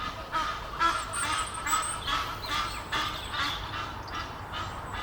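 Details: Egyptian goose pair in a tree near Henley upon Thames, courting. Rapid, hoarse honks pulse steadily about twice a second, with thin high chirps from a small bird threaded above.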